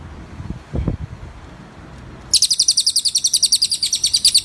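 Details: Cililin used for training other birds: a few low thumps, a quiet pause, then a rapid, high, metallic trill of evenly spaced notes to the end.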